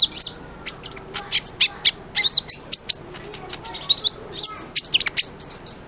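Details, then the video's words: Sunbird, locally called kolibri ninja, singing for use as training song for a white-rumped shama. Crisp, piercing chirps and warbled twitters follow each other in fast, uneven groups throughout. "SUARA BURUNG KOLIBRI NINJA GACOR/100% COCOK BUAT MASTERAN MURAY BATU"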